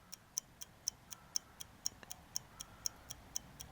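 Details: A clock ticks steadily about twice per second over a quiet background, with no animal sounds.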